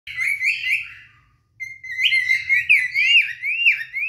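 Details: Two adult cinnamon cockatiels singing to each other in courtship display to attract a mate: bright whistled notes sweep upward in loops, a short silence, then a run of rising-and-falling warbled whistles.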